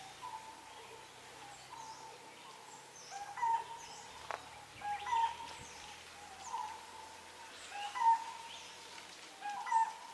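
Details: Forest bird in Sisaket, Thailand, repeating a short whistled note every second or two, over a soft background of faint distant chirps.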